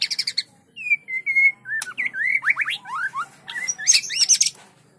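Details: White-rumped shama singing in rapid 'trotol' style while kept near another bird on a training track. It gives high chattery notes, then clear whistled slurs, then rising and falling whistled phrases ending in bright, fast, varied notes.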